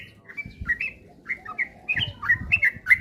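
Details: Sooty-headed bulbul song used as a lure recording to get birds singing rapidly and often: short bubbly slurred whistled notes, rising and falling, in quick uneven bursts, with low thumping noise underneath.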